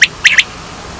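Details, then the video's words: Quail call used as a hunting lure, three short, sharp, bright notes, the last two close together, then silence. "Batair ki awaz"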